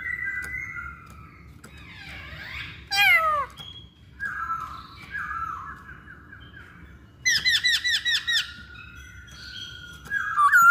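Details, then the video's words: Masked laughingthrush song used to get other birds to sing: a mix of whistled phrases, harsh squawks and rapid chattering bursts, separated by quieter stretches with low background hum. "Pancingan Poksay Hongkong"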